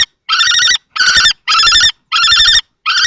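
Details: At a Théding nest box on 20 March 2024, two male common kestrels dispute possession. Long, buzzy, quavering whines, each about half a second, are repeated with short gaps, loud and close.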